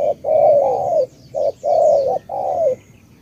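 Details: A spotted dove from Cà Mau gives low, hollow tú-style coos: two long notes, a short one, then two more long notes that sag at the end. Faint bird chirps are heard in the background.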